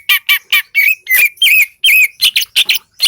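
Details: Greater green leafbird (cucak ijo) from Lembah Selawah, Aceh, singing actively: rapid high squawky and whistled notes, a few rising and wavering slurs, delivered in a fast rattling series of about three notes per second.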